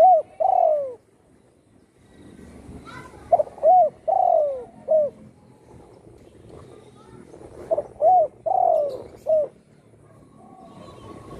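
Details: Spotted dove kept at home after surviving a gunshot that broke its wing; three repeated cooing phrases roughly four seconds apart, each a quick stutter, two hollow coos, a long sliding-down coo and a short last note.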